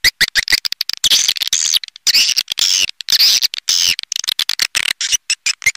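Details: Swiftlet lure call to draw swiftlets in. Buzzy, high twittering phrases are cut by abrupt clicks and short silences in an irregular stuttering rhythm.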